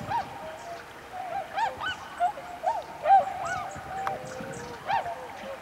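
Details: At daybreak on 11 November 2010, a group of swans gives bugling, honk-like calls at irregular intervals, some louder and closer, with faint small-bird chirps behind them.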